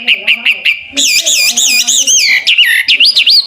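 A hwamei opens with five quick, short notes, then breaks into loud, rich whistled phrases that swoop up and down, bright and clear throughout.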